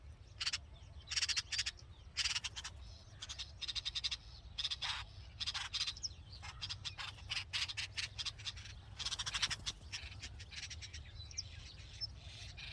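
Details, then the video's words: Hungry red-vented bulbul babies in a nest with the mother: dense, rapid bursts of high, sharp chirps repeat almost continuously, with brief gaps, over low steady background noise. "Red Vented Bulbul Nest With Babies And Mother Chirping Sound"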